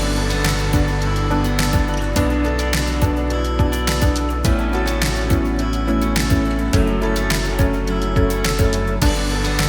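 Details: Only instrumental music plays, with a steady beat and sustained guitar-like tones and no animal sounds.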